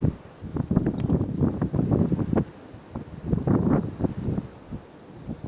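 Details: Gusty wind buffets the microphone in repeated low rumbling bursts, with short quieter lulls between them and no animal calls.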